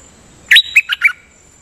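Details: Nok dok taeng songbird singing in a decoy recording, doubling phrases steadily: one loud, slurred whistle followed by three quicker chirping notes, falling slightly in pitch.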